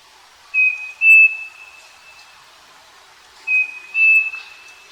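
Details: Striped cuckoo (Tapera naevia), called saci, singing on a farm: two phrases of paired clear whistles, the second note of each pair a little higher, roughly three seconds apart, in a quiet setting.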